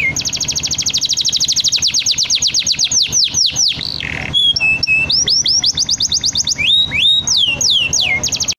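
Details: Canary in full song, opening with a long, very fast high trill that slows into sweeping downslurred notes, then switching to looping whistled phrases and bright rising-falling slides, with a faint constant hum beneath.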